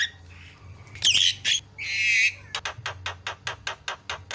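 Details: Javan myna used as a lure to set other birds calling: loud noisy screeches and a buzzy trilled burst, then an evenly spaced series of short harsh rasps at about three per second.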